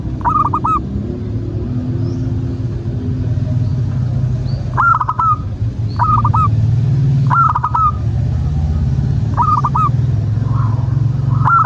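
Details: Zebra dove of local stock, a frequent singer, cooing as a lure for other doves. Brief paired hooked coos come roughly every one to two seconds above a loud, constant low-pitched hum.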